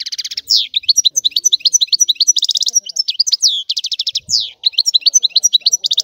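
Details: European goldfinch from Sicily performing the rare 'antico' song: several buzzy rattling trills woven into a steady flow of tinkling, sliding twitters, delivered at about three notes per second.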